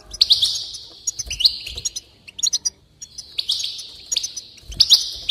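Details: Goldfinch song played to stir a goldfinch's enthusiasm and encourage it to sing: high, bright twittering in two long phrases, each built on a sustained buzzy trill at a fairly steady pitch, broken by quick sharp chips and brief clicks between phrases.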